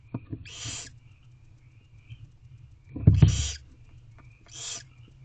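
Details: Hungry barn owl owlets, three young in a nest box, beg loudly as their mother feeds them late on a spring night at 10:03 pm; three harsh, hissing screeches of under a second each, with soft shuffling between.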